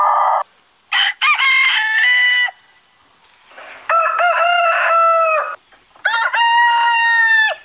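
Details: Three separate crows from a rooster with short silences between them, each loud and rasping with a slight downward slide at the end.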